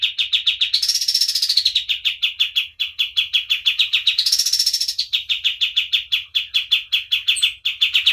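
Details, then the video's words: Continuous high-pitched song from a kapas tembak white-eye, recorded as a tutor for other birds: unbroken fast chips repeated steadily, twice lifting into shrill buzzy rising passages. "KAPAS TEMBAK GACOR DOR"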